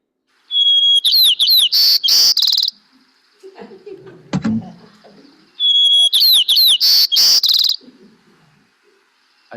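Hermit Thrush sings two phrases about five seconds apart, each a clear held whistle rising into a high, fluty, echoing flourish, with faint low murmuring between them.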